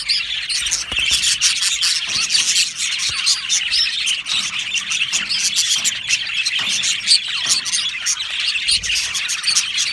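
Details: Colony of Australian budgerigars in an aviary, chirping constantly: a dense, unbroken wash of high twittering and squeaky chatter from many birds.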